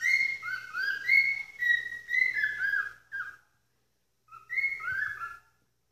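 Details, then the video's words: Pet cockatiel screaming: a run of loud whistled shrieks, each sliding up and then down. They come almost once a second for three seconds, then after a pause a final pair. "Calopsita joaminha gritando essa Hora"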